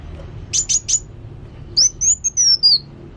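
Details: Actively singing kolibri wulung sunbird gives three very high sharp chips, a short pause, then a run of thin slurred whistles that rise and fall in pitch.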